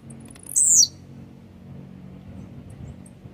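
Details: Aggressive blue-black grassquit, sung to warm up another grassquit: one loud, buzzy, high note dropping sharply in pitch, followed by near silence and low background noise.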